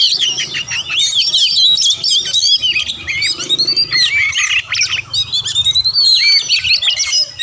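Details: Kacer (magpie robin) singing energetically, a dense stream of varied whistles, chirps and harsh buzzy notes packed with rapid frequency sweeps, continuous for several seconds with barely a pause; faint low background rumble.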